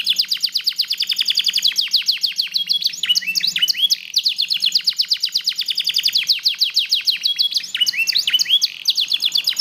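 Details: A black-red mosaic canary in sustained song, with rapid chattering trills and twisting whistled phrases, a faint low hum beneath.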